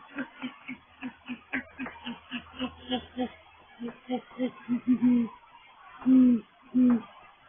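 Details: Great horned owl (Bubo virginianus): male of a courting pair calls at a nest site in a live oak tree in mid-January 2020, late afternoon or night, giving three deep, soft hoots near the end; a person speaks quietly in the first half.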